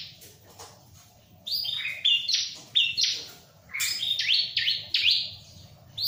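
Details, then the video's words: Bar-winged prinia, unstressed beside a myna, gives quick series of high, sharp downslurred notes and chips in clustered phrases with brief silences. "Burung CIBLEK ga stress sama jalak"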